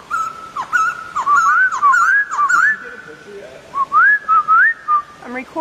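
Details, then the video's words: Laughingthrush, called Poksay Thailand, singing actively (gacor): a run of clear whistled notes wavering and slurring upward, held near one pitch, then short harsh notes at the end; a voice is heard briefly. "Poksay Thailand Gacor"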